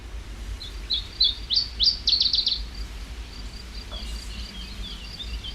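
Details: Iberian chiffchaff song at Urdaibai, Spain, in May 2021: a quick run of high, sweet chip notes accelerating into a slurred trill, then softer notes, over light background hiss. Its final 'chi-chi-chi' notes are noted as separating it from the common chiffchaff.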